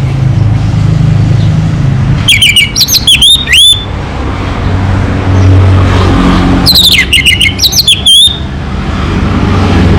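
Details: Orange-headed thrush song in two separated bursts of fast, varied whistles and rattling notes, each roughly one to one and a half seconds, while a vehicle-like drone hums underneath throughout.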